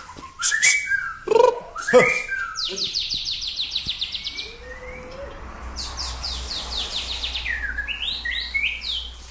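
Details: White-rumped shama in training at Samadua: harsh loud clicks and bursts open, then a rapid run of high buzzy down-slurred notes, a short low whistle, and more high trilled notes over a faint low hum.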